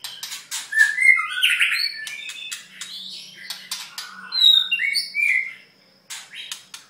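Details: Mid-molt white-rumped shama delivering rich, varied song: rapid harsh chattering notes and clicks mixed with fluty whistled slurs at changing pitches, with a faint low hum in the background.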